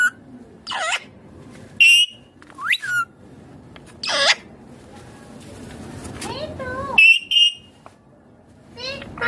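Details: Rose-ringed parakeet talking: scattered squeaky, speech-like syllables and a few short whistled notes, some rising sharply, spaced out with faint background hum between utterances.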